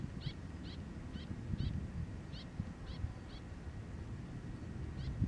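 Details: A Javan plover, incubating on the east-coast beach of Surabaya, gives thin, high, sharp notes in a quick series, about two a second, then a pause and one more, over a steady low rumble of wind.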